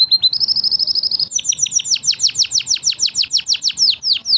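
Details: Training song by five canary birds: a quick high trill that steps up in pitch, followed by a steady series of strong slurred downward notes repeated about four times a second.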